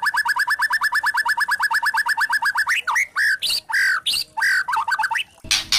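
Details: White-rumped shama, spotted 'trotol' form, giving kretekan lure song meant to provoke other shamas into singing: a fast rattle of about twenty identical clipped notes, then loud slurred whistles and quick chips, ending in a harsh rasping burst.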